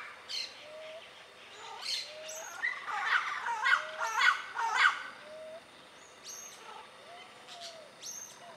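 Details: Yellow-naped Parrots in their natural dry-forest habitat in Costa Rica give a run of hoarse, grating squawks over a few seconds, while another bird repeats a soft low whistle and high thin chips sound in the background.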